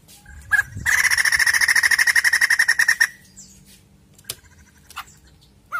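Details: Vigorously singing white-crested laughingthrush, with recorded sound used to prompt a caged bird to sing: a loud, fast, harsh rattling chatter lasting about two seconds, then scattered sharp notes and short whistles in a quiet background.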